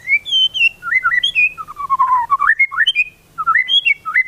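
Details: White-rumped shama song used as a lure to make other shamas sing: a varied run of rich, fluty whistled phrases sliding up and down, with short pauses between bursts.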